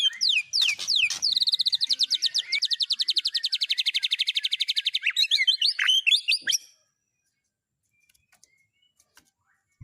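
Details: Fill-in song for a white-rumped shama, with cililin, canary and lovebird phrases: sharp falling whistles, then a very fast even trill lasting about four seconds, ending in a few swoops before silence.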